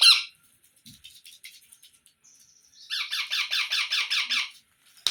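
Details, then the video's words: Baby parrot calling: a sharp squawk, soft scattered chatter, then a long rhythmic run of loud, harsh rasping notes about five per second; quiet indoor setting. "Baby Parrot Sounds"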